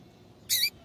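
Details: Double-collared seedeater, a female calling to get the male going: a single rasping, noisy chirp of about a fifth of a second, with a quiet background.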